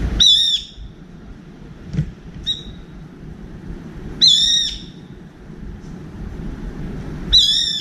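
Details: A brown-eared bulbul perched on a window feeder bar gives shrill, drawn-out piercing screeches, calling repeatedly for a companion; three strong screeches about three seconds apart with a fainter short note between, light background hum.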